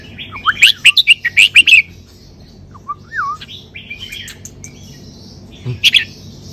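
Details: Red-whiskered bulbul singing in the 'sai beun' (double-note) song style, with bright whistled phrases of rapid, repeated bubbly notes at first, then a short rising-falling whistle and a later burst of sharp notes after a pause.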